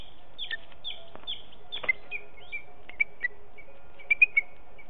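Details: A young booted eagle, a fledgling learning to fly, calls close to its nest in Els Ports on 23 July 2019 at 9:18 as the male leaves a mistle thrush as prey. It gives high, thin, downslurred whistles, then sharper clipped squeals, over a faint hum.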